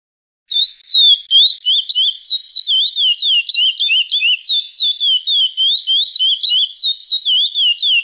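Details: Chestnut-bellied seed finch in the classic "praia" song type, with its TI TUÍ notes edited 5% higher and longer: a long, unbroken run of clear, slurred whistles that rise and fall quickly, several notes a second.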